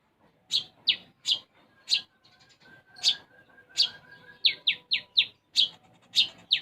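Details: Brown-throated sunbird (konin) singing vigorously with sparrow-like fill. Sharp chirps come at a steady pace, then a fast run of descending chip notes near the end, over a faint whistled hum.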